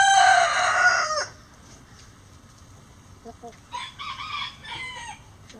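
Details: Rooster crowing before dawn with the flock flying out of the coop; a loud rasping crow fills the first second, followed by quieter clucking calls and a distant second crow.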